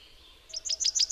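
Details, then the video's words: Common chaffinch song fragment: after a near-silent start, a quick run of five or six bright, high chipping notes, each dropping sharply, in a clean recording. "Chaffinch 1h bird sound"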